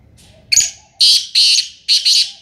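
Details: Black francolin (kala tetar), Sindhi kabootra strain, calling: a faint short note, then three loud, harsh, buzzy grating bursts in quick succession, the last one doubled; faint low cooing in the background.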